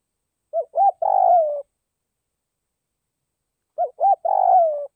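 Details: Decoy spotted dove calling to excite and lure wild doves: two phrases about three seconds apart, each two short hooting notes followed by a longer, rough, downward-sliding coo, against a silent background.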